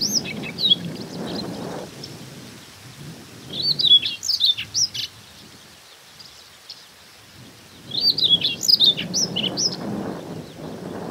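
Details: Hokkaido grassland Siberian rubythroat in early summer breeding season, recorded on a Nikon Coolpix P950; two separate high warbled phrases of rapid twittering notes several seconds apart, with wind buffeting between them.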